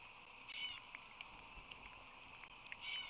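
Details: Osprey at the Whirley Crane nest on March 22, 2019, with a visitor at the nest: two short, high, chirping calls near the start and end, with faint ticks and clicks between them.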